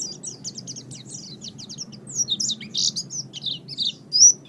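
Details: Oriental white-eye from a master recording for training birds. Scratchy, varied high chattering builds in loudness, with buzzy notes and a final sharp rising whistle. Mild background noise.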